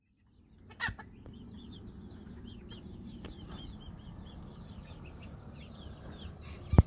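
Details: A bunch of bantam chickens giving a run of short, high, down-slurred peeps repeated throughout, over a steady low rumbling background, with a couple of sharp knocks.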